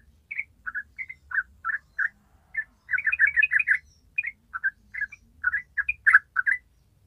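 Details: A yellow-vented bulbul delivers its long rapid 'ropel' song: chirpy, liquid whistled notes that cluster into a quick tumbling run near the middle, then return to spaced phrases. A soft low rumble sits underneath.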